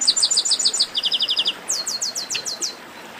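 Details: Chestnut-capped blackbird chorus in baderna style: quick runs of bright, high chirps, first a fast stutter, then a steadier series, ending with sweeping down-slurred whistles.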